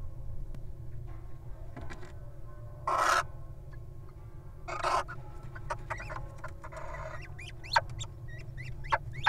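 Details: Little owl guarding its mate at a wild nest box: two rasping hissing screeches, then a run of short sharp yelping notes toward the end, over a constant low background hum.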